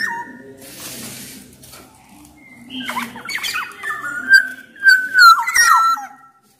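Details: Black-naped oriole from Sumbawa, recorded as a lure for orioles slow to sing: soft scratchy murmurs first, then harsh wheezy notes building into loud clear whistled slurs near the end.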